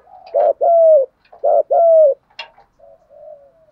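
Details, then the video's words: Spotted dove decoy call in the 'giọng thổ' voice, meant to stir up rival doves: two strong coo pairs, short then long and falling, followed by a click and soft trailing coos. "chim cu gáy giọng thổ/ tiếng chim cu gáy kích bổi nhanh nổi, chim cu cườm gáy giọng thổ hay tập bổi"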